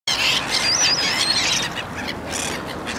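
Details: Common (Mew) gull in Ukraine giving harsh, squawking calls in quick succession, with a thin, high wavering whistle in the first half over a steady outdoor hiss.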